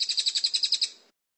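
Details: White-rumped shama, clear training recording: a short burst of about nine quick, high, pulsed notes forming a rattling trill that fades out after one second.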